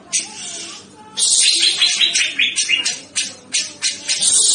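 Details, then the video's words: Grey-cheeked bulbul, a lively singer, in an energetic training song: a harsh, scratchy stream of clustered notes that come in short bursts, with brief gaps between the louder phrases. "MASTERAN CUCAK JENGGOT GACOR SUPER PEDAS"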